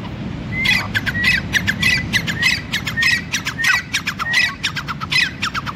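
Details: Grey francolin male, known locally as teetar, in a sustained bout of harsh, rasping squawks. Each burst opens with a brief whistled note and follows quickly on the last, around one hundred a minute, against a steady low outdoor rumble.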